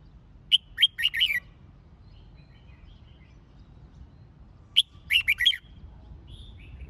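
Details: Red-whiskered bulbul singing for song-competition training: two bursts of loud, sharp whistled phrases, each a quick run of four or five bright notes sliding downward, about four seconds apart, with faint softer chirps between.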